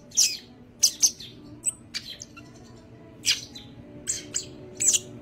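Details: Greater green leafbird of the yellow-headed type, singing energetically with wings spread; sparse sharp high chirps and brief whistled notes separated by short pauses.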